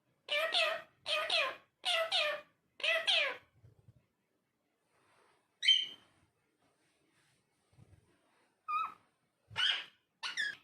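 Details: Talking parrot in an indoor room: four evenly spaced raspy bursts in quick succession, then quiet, with scattered short squawks and clipped speech-like notes later on.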